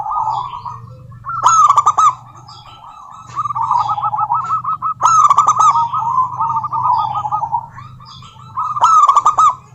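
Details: Local female zebra dove calling a rival: rapid rolling cooing trills around mid pitch, repeated in bursts with pauses, punctuated by sharp bright clicking notes, over a steady low hum.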